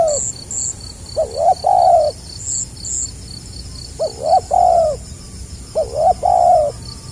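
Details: Spotted dove, 2020, 'gagap rapat selang nguku' style: three mellow coo phrases, each a pair of clipped stuttering notes and then a sustained hollow coo. Steady insect chirping in the background.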